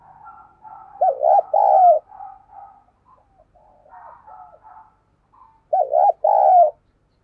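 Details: Lure spotted dove, a handsome decoy bird, calling and cooing to attract wild doves: two loud, hollow, two-part coo phrases about five seconds apart, with softer murmuring, wavering coos between them.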